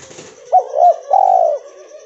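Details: Albino cotton-white mutant spotted dove giving a short cooing phrase: a brief low note, then two smooth, hollow, drawn-out coos, the second longer and slightly rising, with quiet background.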